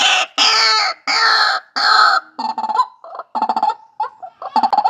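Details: White-breasted waterhen from a captive breeding site: four harsh, broad screeching bursts about half a second each, then quicker clipped throaty notes in uneven runs.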